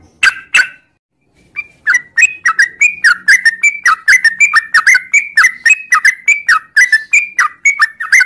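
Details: Morning sooty-headed bulbul pouring out a long ngropel song: two sharp opening notes, a pause, then a steady stream of clear, slurred whistles rising and dipping, roughly three every second, in a quiet setting.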